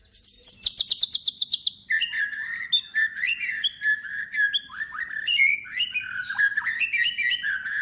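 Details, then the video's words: Singing white-rumped shama meant to provoke other shamas: a quick series of ringing high repeated notes, then varied whistled phrases, slurred and tumbling, in a rich continuous warble. "murai batu gacor AMPUH UNTUK pancingan murai batu agar bunyi langsung bikin emosi bongkar materi"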